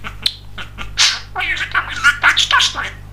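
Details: Pet male budgerigar, described as very chatty and funny, talking: a quick high-pitched stream of raspy, speech-like chatter with short buzzy syllables and squeaky notes, after a few faint clicks at the start.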